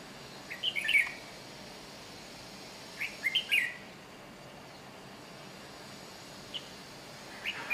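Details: Red-whiskered bulbul recorded in Chiang Mai, Thailand, giving short clusters of chirped, warbling notes, one near the start and another about two seconds later, followed by fainter single chirps.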